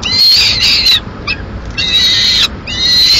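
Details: Begging by a lone Peregrine falcon chick, Madrid, 22 May 2016, as the female eats a swift the male delivered. Two long, rasping, high screams, each close to a second, with a short clipped note between them.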